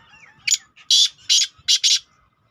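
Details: Partridge call used to lure other partridges: a short faint note, then four loud harsh raspy bursts in quick succession, the last two nearly joined.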